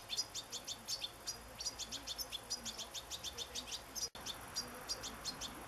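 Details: Young European goldfinch begging before being fed sunflower seeds, 27 August 2014; rapid, high, thin chirps repeated about four per second in a steady stream, with a brief click near the end.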